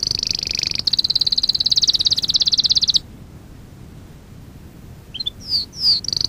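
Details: Canary singing from a lesson recording for training young canaries: a high, fast, buzzy rolling trill lasting about three seconds, a quiet gap, then a few short falling whistles.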